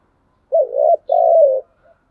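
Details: Spotted dove giving its chiêu and thúc styles of cooing, heard as a pair of deep, hollow coos, a wobbly first note followed by a sustained gently descending second, with no other sounds.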